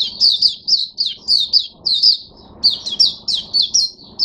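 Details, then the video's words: Oriental white-eye in a cage on 5 May 2022 giving clear open song: brisk, high, sweet whistled slurs, each note dipping then rising, in quick bursts with a short gap halfway, faint low hum beneath. "Mata Puteh Hercules V1 buka sing"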